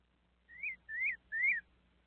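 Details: Thrush known locally as sabiá, receiving a visit from a small monkey, gives three smooth whistles, each rising then falling, in quick succession over a faint steady hum.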